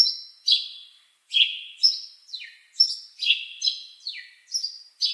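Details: Bird chirping in quick, high, bright notes, several dropping steeply in pitch, repeated rapidly after a short pause near the start, with no other sounds.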